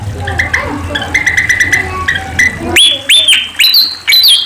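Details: ['Sunda pied fantail song, recorded as training material for caged songbirds: a noisy first half of short repeated chirps with a background hum, then a series of loud, clear, arching whistled notes that rise and fall, about five phrases in under two seconds.']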